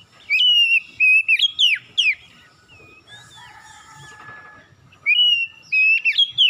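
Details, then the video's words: Morning song of the oriental magpie-robin, used as a lure: loud whistled slurs and sharp upward flicks in two clusters, with a softer, lower buzzy phrase in the middle pause. "PANCINGAN PAGI KACER SUSAH BUNYI LANGSUNG GACOR NGOTOT BONGKAR ISIAN"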